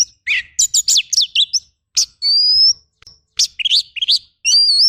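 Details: Oriental magpie-robin masteran song with rough tembakan fill-ins: a fast volley of sharp downslurred notes at first, a long rising whistle midway, then scratchy chirps and a wavering whistle at the end.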